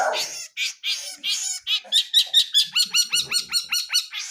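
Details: Wild long-tailed shrike, blangkon type, in full-fill song: harsh, grating notes at first, then a fast regular series of bright up-slurred chirps, over two per second.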